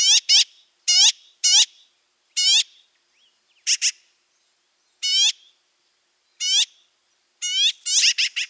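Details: Magpie uttering short, sharp, nasal calls singly and in pairs, spaced about a second apart over quiet background, ending in a quick cluster of notes.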